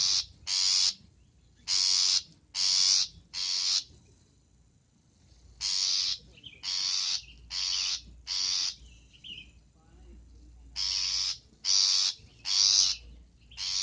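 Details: Long-tailed shrike call for luring: bursts of rapid grating rasps, four in a row, then a pause, then longer runs of harsh notes.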